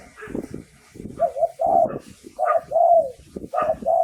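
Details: Thai spotted dove lure song for attracting wild doves: repeated mellow coo phrases with drawn, falling notes, overlapped by rough lower rumbling and softer coos, as if a second bird answers.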